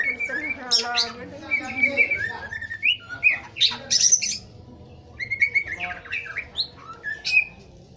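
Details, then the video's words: Morning pastol song of a white-rumped shama, meant to stimulate a juvenile shama to sing freely: harsh squawky notes mixed with high sharp whistles and short slurred phrases, with gaps of quiet and a faint low hum. "KICAU MURAI BATU PASTOL PAGI HARI MERANGSANG MURAI TROTOL NGEPLONG"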